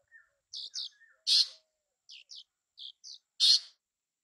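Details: Bay-backed shrike uttering paired short buzzy chirps and soft low whistles, punctuated by two loud harsh rasps about two seconds apart.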